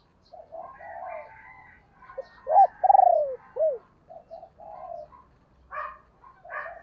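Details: Spotted dove hen cooing to provoke male birds quickly: low throaty murmurs lead into a sharp upswept note, a long throbbing rolled coo and a short arched hoot, followed by scattered softer coos.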